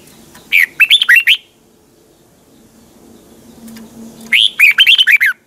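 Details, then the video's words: Red-whiskered bulbul, a caged bird, giving a morning training song in a twisting double voice: two quick bursts of slurred, warbling whistles, each about a second long, separated by a few seconds of near silence. "Luyện chào mào hót sáng, hót hay - Giọng kép xoắn tít, kích chim căng, luyện chào mào hót"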